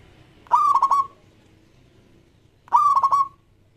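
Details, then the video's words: Local zebra dove from Indonesia, sung as a lure for other doves: two matching phrases about two seconds apart, each a fast stutter of full, ringing coos finishing on a long tone. "Perkutut Lokal Gacor JAGO PIKAT semua jenis"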